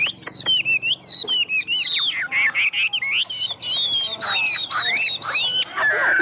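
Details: Caged Chinese hwamei, a tame large-bodied bird good at competition singing, in Vietnam; bright whistled song of sliding, slurred notes in short bursts, with a few sharp clicks between phrases.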